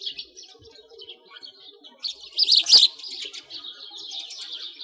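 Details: Sparrows in winter by a frozen lake in Bratislavsky Park, Moscow, Russia: scattered high chirps with a louder burst of twittering midway, over a faint low hum.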